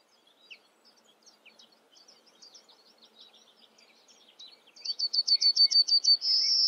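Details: Yellowhammer song, preceded by faint mixed twittering; then a rapid string of about nine repeated high notes, loud and regular, ending in a sustained buzzy final note, with a soft lower chirp underneath near the end.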